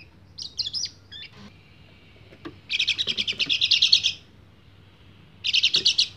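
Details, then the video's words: Male white-eye singing to call a female in breeding condition. A couple of short high phrases open, then a quiet gap. A dense burst of rapid chattering twitters follows, and then a shorter burst. "PLECI GACOR NGEBREN - KECIAL KUNING BIRAHI MEMANGGIL BETINA"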